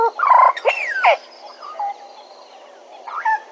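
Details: Bennett's woodpecker at Djuma: a loud, harsh, nasal burst of stacked harmonic notes, then two sharp rising-and-falling squeals, with softer short notes trailing off into quiet.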